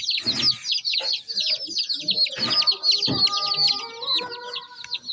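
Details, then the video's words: Chicks peep in a busy high-pitched chorus of short descending chirps, with rustling bursts and a faint steady tonal hum in the background. "Tint Baby MURGI Chicks are Chirping Sounds"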